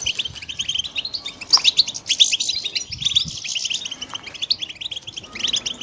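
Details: European goldfinch chicks twittering continuously, many short high squeaky chirps layered into a busy chorus, a few sharper notes rising above, and faint low rustling in the background.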